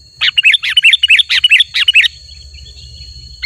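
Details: Sooty-headed bulbul singing in a chatty style: about two seconds of rapid, bright, rolling twittered phrases, then quiet with a low background rumble and a steady high hum.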